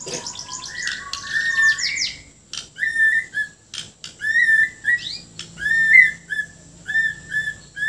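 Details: Bornean white-rumped shama singing energetically with harsh filler notes, delivering a run of clear, slurred whistles and short warbled phrases, each about a second long, with scratchy notes between them.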